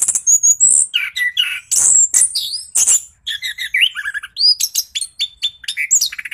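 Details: Orange-headed thrush in energetic rolling song, a lure for lazy birds; long bright whistles, lower warbled phrases and quick rising and falling slurs follow each other with barely any break.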